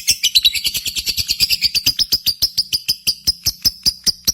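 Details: Lovebird chirping from a contest-simulation lure recording meant to stir pet lovebirds into singing: a steady run of rapid, high, sharp chirps, about six per second, with a thin buzzy edge and no other sounds.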